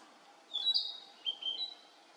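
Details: Male Narcissus flycatcher (Ficedula narcissina) sings two brief phrases of high, clear whistled notes, the second slightly lower and more broken, over a faint background hiss.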